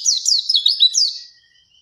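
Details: Oriental white-eye in lively song: a quick run of thin, high, sweeping warbled notes for just over a second, then trailing off into quiet.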